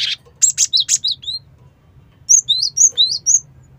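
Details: Cinereous tit lure call: a fast cluster of loud high chirps and slurred whistles, then after a pause a run of six rising whistled notes, with low hum beneath.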